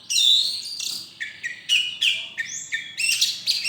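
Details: Champion white-rumped shama at a November 2023 song contest, opening with a bright high whistle then a run of clipped chirps and short whistled notes at a quick steady pace.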